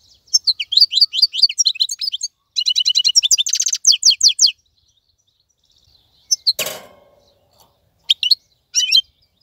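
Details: Wild-caught European goldfinch singing in a cage, a few seconds of fast twittering and buzzy trills, then quiet, a sharp loud click, and a few scattered chirps.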